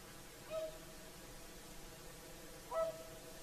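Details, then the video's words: Whooper swans at sunset on the Lake Saimaa shore, Finland, singing their evening calls: two trumpet-like honks about two seconds apart, the second louder and richer in overtones, with soft ambient hiss between. "Swans singing at sunset"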